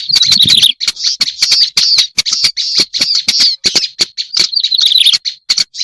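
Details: Black-browed reed warbler lure: rough buzzy chirrs repeated in quick phrases between dry clicks, a scratchy, insistent chatter with short breaks and a few faint high squeaks.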